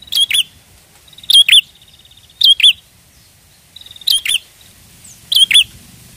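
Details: Trapping lure of prenjak: bright doubled chirps with sharp up-and-down inflections, some introduced by brief buzzy rattles, repeated at irregular intervals of about one second, faint low background rumble.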